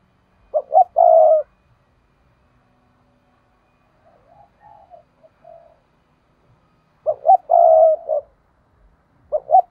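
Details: Spotted dove used as a trapping decoy, in the 'thúc' urging call: a three-part phrase of two short coos and a drawn-out coo, a few softer coos in between, then the full phrase again about six seconds later.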